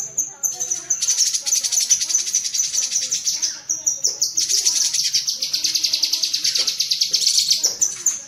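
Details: High, fast chattering of a cucak kinoi bulbul, the tembakan cerecetan style used to train pet birds: a brief note, then a continuous stream of sharp, rattly chips that pulse steadily to the end.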